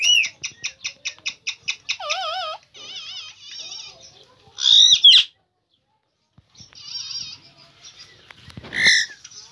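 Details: Indian ringneck parakeet, a green parrot, talking: a quick run of repeated sharp notes, then wavy whistled tones and buzzy harmonic phrases, a pause of silence, and a harsh squawk near the end.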